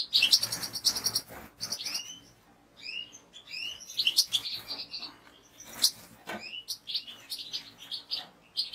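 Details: Fast, excited European goldfinch song: dense metallic twittering, rising slurred whistles and rasping buzzy bursts tumble over one another almost continuously, over a faint low background hum.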